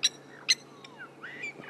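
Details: Lapwings chinking noisily during an August 16 sunrise safari drive near a lioness: two sharp, metallic chinks about half a second apart, then fainter sliding notes, over a soft low hum.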